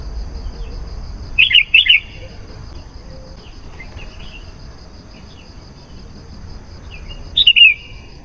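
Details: Sooty-headed bulbul song used as a lure to call wild bulbuls: two short bursts of bubbly, warbling notes, one early and one near the end, with a quiet gap between and a faint steady high hum throughout.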